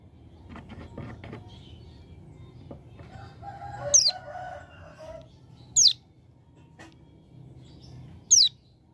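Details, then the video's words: Hill prinia from a mountain area in a tutor recording. Three sharp, high, descending notes come at uneven gaps over faint lower chirps and background rustle. "Ciblek Gunung Paud Gacor Ngebren Ak47"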